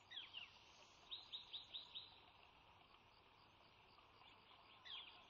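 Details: Nesting bald eagle pair, Sauces nest, March 3 2017, during the female's laying of her first egg in a second clutch; a couple of high chirps, then a run of four rapid piping notes and a later single note, over faint hiss.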